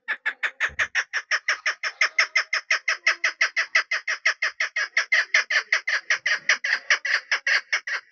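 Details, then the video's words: Hunting decoy chukar hen producing a long, fast, rhythmic chatter of grating cluck notes throughout, steady in pace and loudness. "desi made ki khobsort awaz .. sound of keklik..sawt shakra.. ses sound..pahri madi.. shikari madi."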